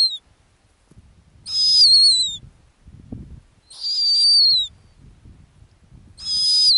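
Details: Female snowy owl on the nest in the Arctic tundra, repeating high, harsh whistles that slur downward, about one every two and a half seconds, with a faint low thump between calls.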